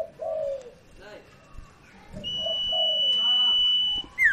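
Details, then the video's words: Lure recording of a sirtu to coax a quiet bird into song. Low drawn-out coos come in pairs, joined by a long high steady tone and faint background voices. "PANCINGAN Burung SIRTU Macet BUNYI"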